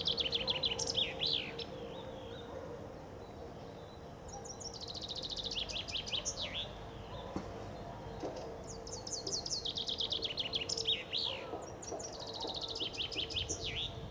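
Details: Spring song of common chaffinches on the Ob riverbank in suburban Novosibirsk, Siberia, several birds performing. Four quick, high, descending rattling phrases spread through the recording, with quieter gaps and a low hum beneath.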